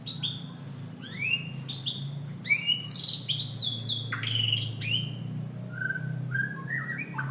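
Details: White-rumped shama delivering a rich, varied song of loud upslurred and downslurred whistles, sharp high notes and quick flourishes, with a low steady hum underneath.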